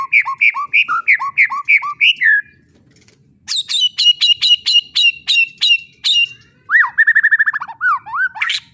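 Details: White-rumped shama song aimed at young spotted shamas: evenly spaced two-note whistles, a short gap, a series of sharp high descending notes, then a fast buzzy trill with rising slurs.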